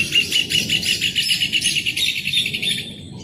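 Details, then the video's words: Repeated bright, ringing notes from a rufous hornero, delivered in a steady, fast rhythm that gradually fades near the end. "CANTO DO JOÃO DE BARRO 🐦 SOM DO JOÃO DE BARRO CANTANDO"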